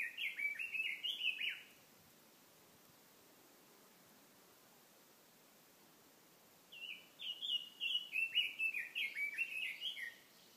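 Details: Streamside bird song: a short burst of bright, sliding chirps opens, followed by about five seconds of quiet hiss, then a longer fast-paced warbled phrase of repeated down-slurred whistles closes the sequence.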